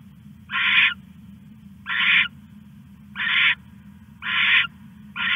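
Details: At 1:41 AM on 21 August 2015 an owl caching a rat repeats a noisy, hissing screech about every 1.2 seconds, five bursts in all, with a low electrical hum underneath.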